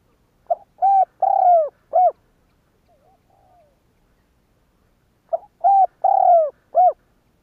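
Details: A spotted dove coos to prompt other doves to answer. The four-part low phrase comes twice, with a short pickup note, a long burry middle coo and a clipped ending. A faint soft murmur falls in the pause.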